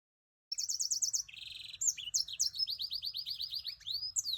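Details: Timbrado canary mule, a black-throated bird kept as a cage bird in Binh Thuan, Vietnam, singing a rapid varied song: fast metallic trills, buzzy rolls and repeated rising whistled notes, each phrase a quick string of similar syllables, with a low hum underneath.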